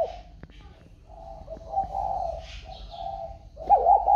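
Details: Spotted dove boxed after purchase keeps up its calling: a run of low hoarse coos of varying length, faint murmuring in the background, ending with a louder coo.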